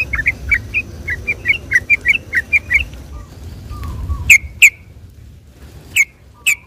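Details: Sooty-headed bulbul singing on a Sunday morning, used as a lure for trapping or rousing the same species: a quick run of liquid whistled notes, then a few loud sharp single calls spaced apart, faint low hum beneath.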